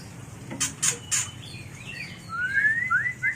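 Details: Mating song of a white-rumped shama for luring and training birds: a few loud rasping bursts, then soft twittering, ending in a rapid series of bright rising whistles.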